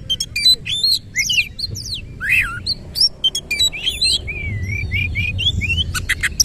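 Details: Oriental magpie-robin in full song with its tail fanned open, delivering rapid 'nembak' shooting notes and rolling 'ngerol' phrasing: dense high whistles, sharp upward sweeps and buzzy chips tumbling over one another, with a faint low hum behind.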